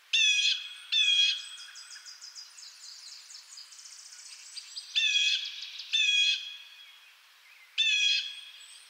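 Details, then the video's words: Strident blue jay calls: two quick harsh notes, a quieter scratchy stretch, then two more calls and a final one. "Blue Jay Sounds"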